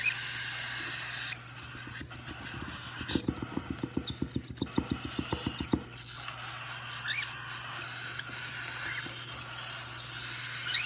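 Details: Cockatiel chicks at 31 days old give a rapid, rasping pulsed call over a thin, steady high whine.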